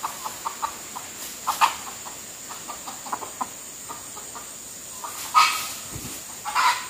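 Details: Wild red junglefowl being lured by a decoy gives short, mid-pitched clucks in an uneven series, with a few louder, sharper bursts over a steady background hiss.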